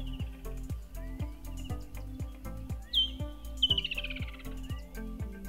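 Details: Woodland kingfisher (Halcyon senegalensis) heard from a lodge deck at breakfast in Manyeleti Game Reserve, South Africa, gives one sharp high note, then a fast trill running down the scale, with loud music underneath.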